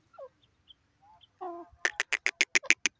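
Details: Grey francolin calling: a few soft low notes, then a rapid series of about nine harsh, clipped, evenly spaced calls in just over a second, loud against a quiet background.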